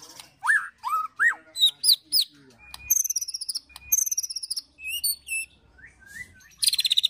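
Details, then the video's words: Oriental magpie-robin song used to goad and train other birds: varied clear whistles that rise and fall, high thin notes, quick chattering runs and a buzzy trill at the end. "KETREKAN MURAI BATU EMOSI TEMBAKAN PEDAS ISIAN CILILIN PRENJAK TIR BIKIN EMOSI"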